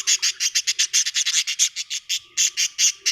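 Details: Pet budgerigars kept at home chattering in a rapid run of short, bright, buzzy chirps, nearly twenty pulses in three seconds, with a faint steady hum underneath.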